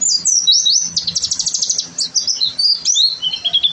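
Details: High, hurried twittering from an oriental white-eye in gacor singing for a masteran, with a fast trilled passage and wavering slurred phrases.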